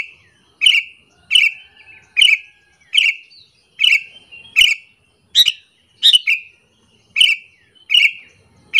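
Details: Sooty-headed bulbul giving its luring call to make other bulbuls angry, a long even series of about twelve sharp chirps, roughly one every three-quarters of a second, each falling in pitch.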